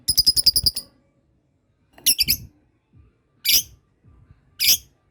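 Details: Lovebird practising ngekek with others responding. A quick rattle of eight sharp chirps opens, then a shorter chattered burst and two single harsh squawks spaced over the following seconds.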